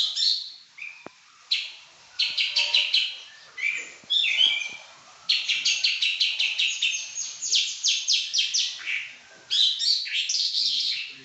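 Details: Caged pekin robin kept as a prized songbird, singing vigorously: rapid strings of bright, high warbled notes and fast repeated trills, broken by short pauses between phrases, with no other clear sounds.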